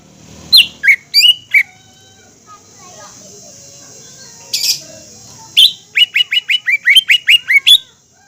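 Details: Green leafbird (cucak ijo) singing as a lure meant to provoke and excite other leafbirds. A few sharp whistled notes, a quiet spell with one brief rasp, then a fast run of about ten clipped, rising-falling whistles.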